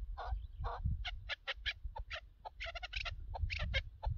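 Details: Chukar partridge heard during a partridge hunt, giving a run of short, harsh clucking notes, some spaced and some bunched in quick clusters, over a low rumble of wind or handling noise.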